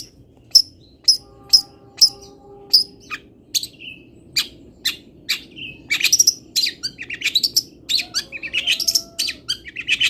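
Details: Long-tailed shrike, local Indonesian bird, singing fill-song material: five evenly spaced sharp high whistles, then an increasingly rapid jumble of twittering, chattering and scratchy notes.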